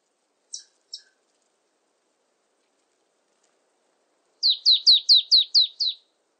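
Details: Marsh tit: two brief high ticks, a long silence, then a quick string of seven clear, downward-sliding whistled notes.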